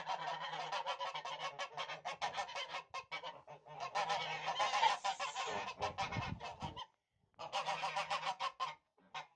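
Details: Tula fighting geese, a domestic fighting breed from Russia, honking almost continuously in rough, nasal, rapidly repeated calls, with one short silence before the clamour resumes.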